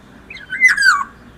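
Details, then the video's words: Kepondang, the black-naped oriole, singing fluently: a short mellow whistle leads into a louder liquid phrase that peaks and then slurs downward, with ringing overtones. Quiet setting, nothing else audible. "burung kepondang yg sudah gancorr"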